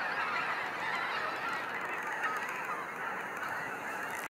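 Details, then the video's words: Snow goose flock in a sunset fly-out at Sacramento National Wildlife Refuge, a blurred roar of distant honking mixed with low rumble, cutting off abruptly at the end. "Waves of Snow Geese Sunset Fly-out"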